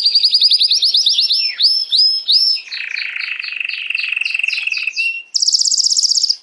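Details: Singing canary, song meant to excite females for breeding: rapid series of upslurred whistled notes, then a lower rolling trill with overlaid chirps, ending in a very high, fast buzzy trill.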